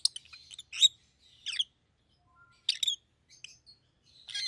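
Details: Pet rosy-faced lovebirds, a pair, one yellow and one green, both red-headed, give sharp high chirps and squeaky notes in scattered bursts, with short quiet gaps between.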